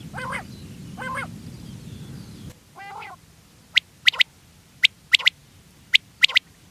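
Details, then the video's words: Wild quails calling in the evening: two harsh, nasal, stacked notes first, then a burst of sharp, high, clipped whistles in quick pairs and triplets over a faint low rumble. "The best sound of wild quails is in the evening."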